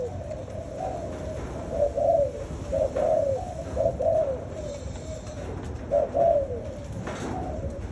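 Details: Continuous mellow cooing of spotted doves, low rounded notes swelling in louder bursts about once a second amid a soft murmur of overlapping coos.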